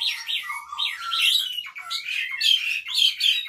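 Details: Unprovoked song of a captive Asian pied starling carrying Cililin imitations: continuous squawky, warbling whistles with looping up-and-down notes and sharper accented chirps toward the end.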